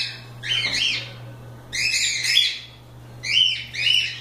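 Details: Loose cockatiels playing and having fun during a live session give bright, squawky whistled calls in three bursts, roughly every one and a half seconds, over a steady low hum.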